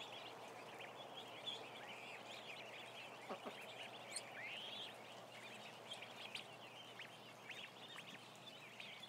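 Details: Many ducklings, about a thousand, penned together, producing a steady wash of shrill rising and falling peeps, individual arched notes standing out now and then over a constant low hum.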